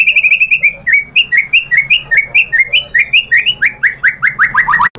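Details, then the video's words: White-rumped shama showing its learned song material after provocation: a long steady series of about twenty-five clear whistled notes, each sliding downward, speeding up toward the end before a sudden click. "MURAI BATU GACOR memancing EMOSI jadi NYAUT BONGKAR MATERI ISIAN | PANCINGAN MURAI"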